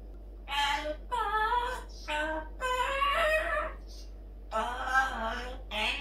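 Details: Pet parrot singing the SpongeBob song as part of her morning chatter indoors: a series of sung, voice-like phrases about a second long with short breaks between them, over a low room hum.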